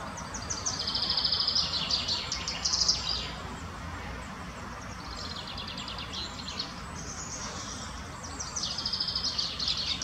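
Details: Spotted flycatcher in the botanical garden in Munich, Germany: bursts of high, thin, scratchy chirps and twitters in three clusters, with brief pauses between them and a low steady background rumble.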